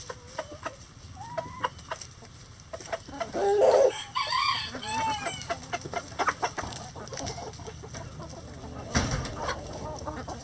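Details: Chickens in a coop, with clucks and drawn-out rooster crows rising and falling in the middle, plus scattered short clucks and a sharp clatter near the end.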